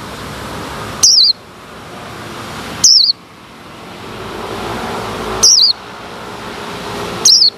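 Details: Caged male white-eye, separated from the female, heard after its cover is opened, with wild white-eyes coming around. Four thin, high, downslurred chirps arrive about every two seconds. A steady hiss rises between them.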